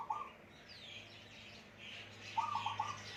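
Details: Caged wild-born Zebra dove, raised since being caught with a decoy bird, very lively and giving its loud, deep-voiced song: a brief opening burst, then a rapid stuttering phrase of mid-pitched cooing notes. Thin high chirps from other birds sound behind it.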